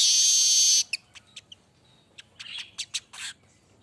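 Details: Golden-headed manyar weaver in lively song: an opening harsh buzz under a second long, then sparse clicks, ticks and short rasping bursts spaced over the remaining seconds.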